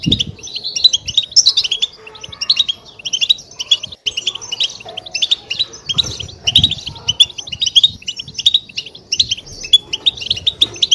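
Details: European goldfinch in natural twittering song, played to stimulate and excite kept goldfinches into singing: continuous high, tinkling chirps and trills, lively and unbroken, with faint low background noise.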